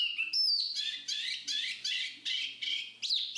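Black-capped babbler giving high, scratchy chattering bursts, two or three per second, with a few sharp whistled notes mixed in.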